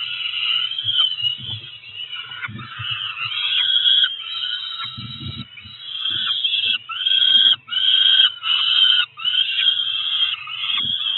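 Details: Two roughly four-week-old peregrine falcon chicks on a Cromer nest cam at breakfast, 2 June 2023, giving harsh, strident wailing cries almost without pause, the notes rising and falling, with soft low thumps of movement at the nest.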